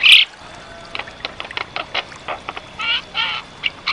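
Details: Energetic black-winged starling song used as master material for training birds: a loud harsh opening note, then rapid clicky ticks and raspy, partly harmonic phrases in quick succession.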